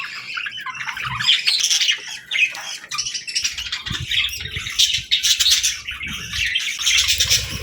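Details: Several budgerigars gathered for evening feeding on seeds and millet, keeping up a steady, busy chorus of high chirps and warbling chatter, with faint low thumps beneath.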